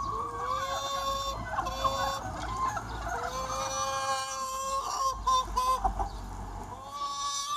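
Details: Large free-range chicken flock on a sunny spring day, a dense chorus of overlapping clucks and long drawn, slightly rising squawks, with quick cackling bursts breaking through every few seconds.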